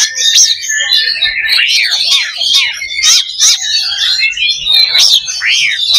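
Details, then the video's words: Oriental magpie-robin (kacer) singing in the loba style as a fighting simulation to raise fighting spirit: dense, continuous high whistled phrases with repeated arching down-slurred notes and sharp clicks. "SIMULASI LOBA BURUNG KACER || MENAIKAN MENTAL TARUNG / FIGHTER"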